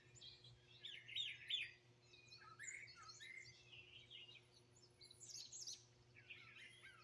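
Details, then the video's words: Birds singing and chirping outside in Greenville, South Carolina, 2023, recorded straight off a phone. Bursts of rapid high chirps and short warbled phrases repeat from several birds, with a faint steady hum underneath. "Bird Chirping Sounds"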